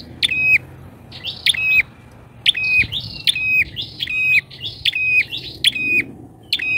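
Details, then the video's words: Bar-winged prinia lure call, loud and chattery, meant to draw in wild birds: sharp clicking notes jump into a flat whistle, then snap upward. Phrases repeat about once a second with short gaps, and faint low background hum. "PIKAT PRENJAK!!..PRENJAK LIAR KALAH PAMOR DGN PIKATANYA...GACOR"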